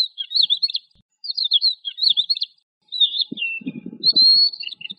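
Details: Eurasian skylark pouring out rapid, trilled and twisting phrases, ending in a long, steady high whistle, while a lower rattling murmur comes in near the end.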